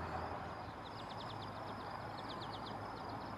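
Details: Eastern kingbird giving a fast sputtering series of short, high, buzzy notes in two bursts. A steady low rumble like passing traffic runs underneath throughout.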